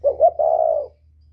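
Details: A northern-style spotted dove with a whistle voice, used as a lure call, gives two quick short notes followed by a single long, level coo that fades out.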